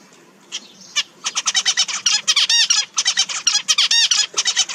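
A zebra finch sings a rapid run of nasal, buzzy notes with a few sweeping chirps.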